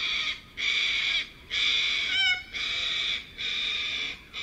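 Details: A huge flock of little corellas, well over a thousand foraging on the ground and in trees in suburban Melbourne, gives a continuous wall of harsh, grating screeches in overlapping bursts of about a second, with brief dips.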